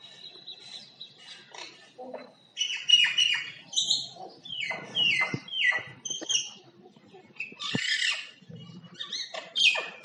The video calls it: Common Myna Bird sound like singing (Making different sound)